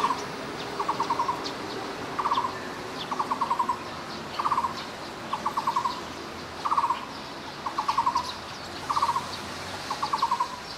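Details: A Taiwan barbet (Psilopogon nuchalis) calls in low, hollow bursts of five to seven rapid knocking notes, repeated about once a second over a steady background hiss.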